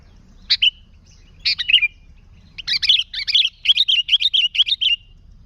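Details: Lively sooty-headed bulbul song for luring bulbuls: a single sharp note, then a short twittered phrase, followed by a fast, rattling run of about a dozen bright chirps.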